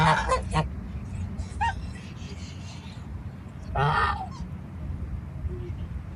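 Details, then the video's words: Goose recorded among farm animals giving two loud, nasal, harmonic honks, one burst at the start and another about four seconds later, with a faint short call between, over steady low rumbling background noise. "SOM DE GANSO CANTANDO, Barulho de Gansos"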